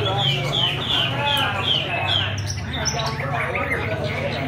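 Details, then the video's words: Chinese hwamei, just finished moulting, singing all day: a run of clear, high whistled notes, each sliding downward, repeated about every third of a second, then a looser warble, over a steady low hum and faint voices. "Hoạ mi đạt đất hót cả ngày"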